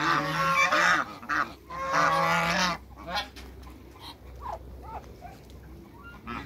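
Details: Backyard group of African geese, two males and a female, chasing waterbirds: two long loud harsh honking bursts in the first three seconds, then quieter scattered short calls and background noise.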